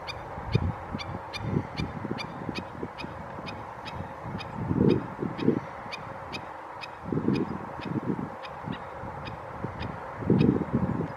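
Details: A Black-necked Stilt calls at 7:03 am on 16 July 2016 at San Elijo Lagoon, giving sharp, nasal yipping notes, about two per second, steady and high, with low wind rumbling in bursts.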